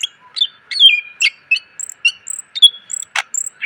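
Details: Caged greater green leafbird training song packed with fill phrases: quick chips, a descending slurred whistle, very high thin notes and a harsh buzzy note near the end, delivered in an irregular, lively sequence over a faint hum.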